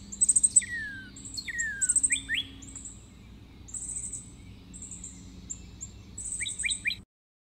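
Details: Red-crested cardinal singing: bursts of very high, sharp chips alternating with clear slurred whistles that drop downward, delivered in short phrases with brief pauses, over a faint low steady hum.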